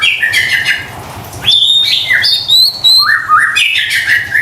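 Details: Shama lure song aimed at stressed, silent kept birds: chattering notes give way to a high pure whistle, stepped whistled phrases and rising slurred notes.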